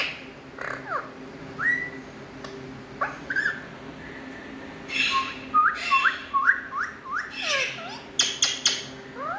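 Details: A talking Indian ringneck parrot makes quiet scattered chirps that become louder after midway: a run of short rising whistled notes with sharp clicks among them, over a low steady hum.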